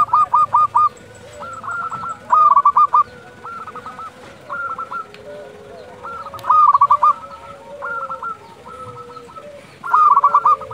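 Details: Local zebra dove calling at dusk, a lure for other doves; bursts of quick stuttering coo notes repeated every two to four seconds, with fainter doves calling in the background.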